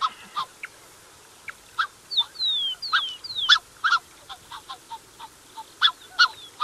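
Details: Close recording of a Black-necked swan pair with their cygnets: scattered short honks, then a cluster of thin downward-gliding whistles in the middle, then more rapid soft honking notes.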